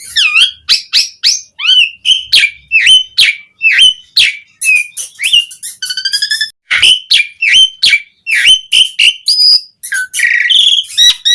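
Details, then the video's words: Asian pied starling singing busily, a lure recording for starlings: a long, varied stream of rapid whistles, chips and squeaks with short buzzy and harsh bursts, changing note types every few seconds. "Suara Jalak Suren Gacor"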